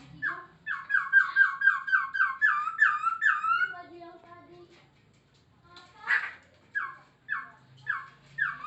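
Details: Poksay Hongkong, the Masked laughingthrush, singing a rapid series of about twelve similar whistled notes, each rising then falling. After a pause with a harsh note, slower repeats of the same note follow.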